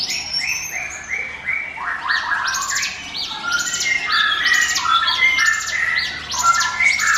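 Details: Bar-winged prinia singing a 'ngiwit wit' lure song for other birds: descending whistled notes at first, then a busy mix of high chirp bursts and short mid-pitched whistles.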